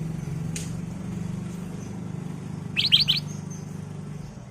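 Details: A single brisk phrase of three bright, liquid notes from a ruby-throated bulbul, used as a lure song for training caged birds, with a faint click earlier and a steady low hum.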